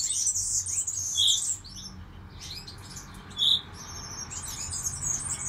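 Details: Breeding European goldfinches in Poland, recorded in 2018, twitter in quick, high, jingling bursts. Two louder, lower chirps stand out, separated by short gaps of quieter chatter.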